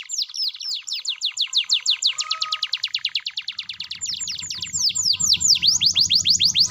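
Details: Gacor canary song used to make lazy canaries reply: a steady stream of rapid down-slurred whistled notes, slowing to wider sweeping notes toward the end, with a low hum appearing halfway through.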